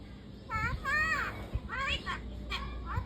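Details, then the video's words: A myna imitates human speech, apparently saying "Baba", in a few short voice-like phrases with rising and falling pitch over about two and a half seconds, over a low background hum. "MOYNA BARD SAY Baba"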